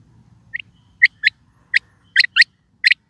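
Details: Calling quail gives brisk doubled chips, each pair quick and high, coming roughly every half second in an uneven rhythm over quiet background.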